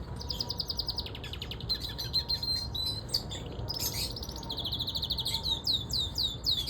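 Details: Siskin canary in song outside, giving bright rapid trills and sharp chirps with short pauses and descending swept notes, over a constant low rumble.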